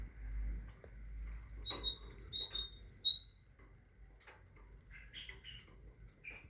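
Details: A tit sings a pure whistled pattern of paired notes, high then slightly lower, given three times in quick rhythm, then quieter scattered chips and a short buzzy note in near silence.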